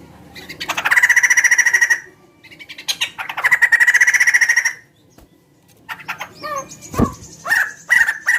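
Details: Big bird whose voice resembles a chicken, singing actively: two long, loud rapid trills with a pause between, then a series of shorter, varied calls.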